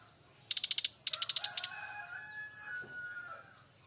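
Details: Brown-chested jungle flycatcher from Bali giving a loud 'kretekan' crackling call, described as a fighter. Two rapid bursts of about six and eight sharp pulsed notes are followed by thin, drawn-out whistled tones.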